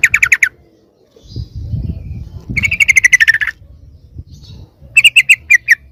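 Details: Sooty-headed bulbul lure call to pull wild bulbuls closer: brief fast chattering bursts of bright notes, separated by gaps filled with low rumbling noise, the last burst slower and more spaced.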